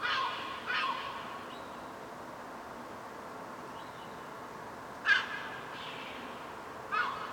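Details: Downy young gulls on a rooftop being fed by their mother, with a few short harsh calls early on, a louder sharp call later, and another near the end, over a steady noisy background.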